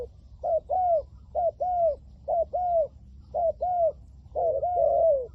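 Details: Spotted dove used as a decoy to lure wild doves during trapping: low paired coos, a short note then a longer downslurred one, repeated about once a second, over faint background rumble.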